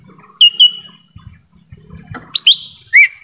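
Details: Lesser green leafbird in forest, a lure recording for wild birds: two short level whistles, a pause with faint low noises, then three brighter whistles, the last one dropping.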